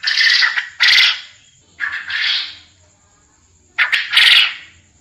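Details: Quail, recorded as mastering sound for contest birds, utters broad, hoarse calls in pairs, a long grating note followed by a shorter one, with quiet gaps and a faint steady whine.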